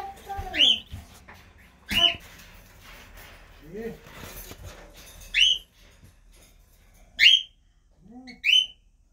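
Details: A group of parakeets calls repeatedly: short, shrill, rising screeches with rich harmonics come roughly every one to two seconds, mixed with a few lower, softer squawks.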